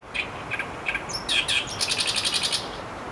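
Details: Asian brown flycatcher calling, recorded 26 May 2015: short high chips, then a quick run of thin, evenly spaced notes near the end.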